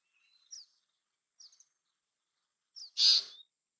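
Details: Bay-backed shrike, a South Asian resident, giving a few faint thin high chirps, then one loud harsh rasping burst near the end.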